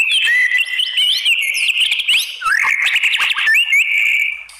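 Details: White-rumped shama in continuous loud song meant to make other shamas answer, a dense stream of slurred whistles, quick up-and-down notes and chatter with no real pause.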